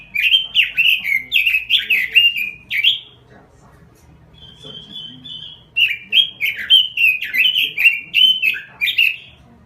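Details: Robin delivering lively 'gacor' song: about three seconds of quick bouncing warbles, a pause broken by a thin flat whistle, then another rapid stretch of looping, rising and falling notes.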